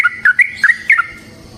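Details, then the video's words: Yellow-vented bulbul, called trucukan, used as a lure for training other birds; a brief burst of three or four liquid whistled notes, each dipping and rising, fading into quiet. "Trucukan GACOR ngalas ROPEL PANJANG suara alam AMPUH buat pancingan"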